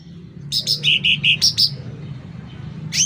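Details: Loud sooty-headed bulbul song: seven quick, rounded chirps stepping down and back up in pitch, a short quiet spell, then a sharp rising whistle at the end.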